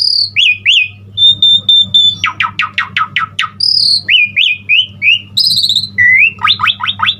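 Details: Asian pied starling in lively full song used to train other starlings: varied whistled notes, fast descending buzzy strokes repeated in runs, high piercing squeaks and rising slurs, with a steady low hum underneath.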